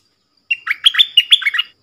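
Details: A single rapid, bubbly phrase from a cream-vented bulbul in full 'double' song, 18 June 2021: a steady introductory note, then a run of sharp up-and-down chirps lasting about a second, with no other sounds.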